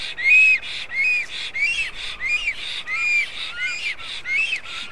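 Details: Black stork (Ciconia nigra) at its nest in Karula National Park, southern Estonia, 2021, calling: a series of thin, wheezy whistled notes, each slightly arched in pitch, repeated about every two-thirds of a second over a soft hiss.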